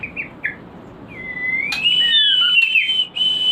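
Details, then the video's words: White-rumped shama song played as a lure to stimulate breeding: a few short chirps, then a long rising whistle that levels into a sustained, slightly wavering note with a lower whistled line sliding beneath it. "Pancingan untuk burung Murai Batu Breeding / menaikkan birahi"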